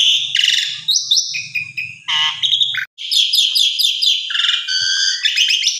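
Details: Energetic Asian pied starling song for provoking a quiet bird to respond: mixed chirps, whistles and rough buzzes, with a faint low hum in the first half.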